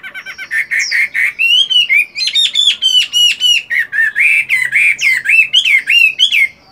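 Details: Caged fighting Chinese hwamei practising song in the morning while moulting: a long, fast, continuous string of loud whistled and warbled notes, many repeated several times a second.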